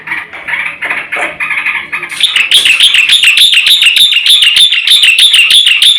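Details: Black-winged myna in full, varied song, recorded as a lure and tutor for training birds: low rough chatter, then a steady run of fast, ringing, slightly wavering notes repeated several times a second.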